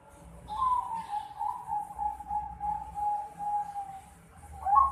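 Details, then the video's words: A 4.5-month-old Bangkok zebra dove holds a long, gently warbling mid-pitched coo for about three and a half seconds, wavering slightly in pitch, then ends with a brief rising note; soft low hum underneath. "Suara Teriakan Piyek Burung Perkutut Bangkok Umur 4,5 Bulan"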